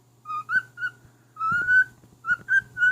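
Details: Singing to his mate indoors, a male pet cockatiel gives pure whistled notes: short ones, then one long drawn-out whistle, then three more short notes in a tune-like pattern.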